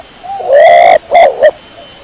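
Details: Clear pigeon phrase from a 'dara kecor': a soft lead-in, a long smooth coo, then two short clipped notes, with light hiss behind.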